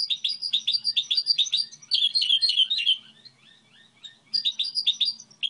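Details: Goldfinch hybrid model song made of fast, tinkling twittered phrases, about 143 notes a minute, broken by a short pause before the bright chatter resumes.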